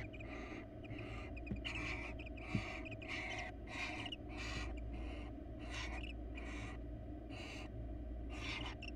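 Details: Wild barn owls at a monitored nest box as the male grabs a rat and seems unwilling to hand it to the female: harsh, breathy hissing screeches repeated roughly every half second to second over a constant low hum.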